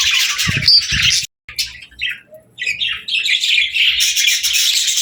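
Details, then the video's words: Pet parakeets playing, singing and talking: bright, high chirps and chatter in bursts, broken by a short silence near the middle, then resuming in a dense, overlapping flurry. "Parakeets Playing, Singing & Talking | Relaxing Chirping Sounds"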